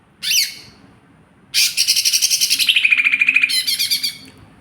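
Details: Lesser green leafbird of fighter type: a short sharp sweeping note, a pause, then a harsh rasping burst running into rapid pulsed chattering.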